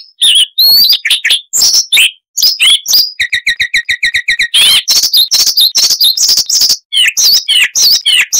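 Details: Luscinia calliope chattering with many sound variations: varied twisting whistles, then a quick run of identical short notes about eight per second, followed by harsh and whistled mixed phrases.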